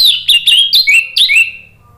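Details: Orange-headed thrush, a kept songbird, singing a lure song meant to get silent birds singing: about five loud whistled phrases, each sliding downward with bright upper overtones, then fading to quiet.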